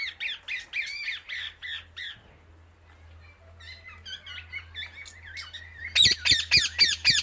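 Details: Indian ringneck parakeet chirping loudly to other birds: a run of repeated rasping calls, quieter twittering with a low steady hum behind, then a rapid series of loud squawks at the end.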